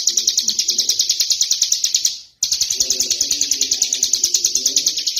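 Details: Tame prinia called ciblek gunung, singing continuously outside its cage: rapid high buzzy chirps repeated fast, a brief break at two seconds, then the same run resumes over soft low cooing.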